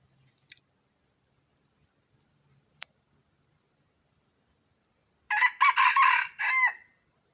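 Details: Red junglefowl crow used for luring wild chickens: after several seconds of near silence broken by a couple of clicks, a single loud, rasping crow of several joined segments ending in a falling note.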